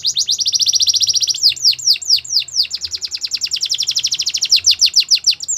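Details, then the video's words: Belgian canary singing: a long fast rattling trill of high notes, then a run of descending whistled slurs repeated about twice a second, then a quick high trill again, with faint low hum beneath. "Melodies canary bird song | Belgian canary singing"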